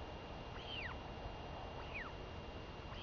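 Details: Begging royal albatross chick, the daughter, asking her mother for food on 23 May 2021; two bright descending-arched whistles about a second apart, a third starting at the end, against a steady hiss.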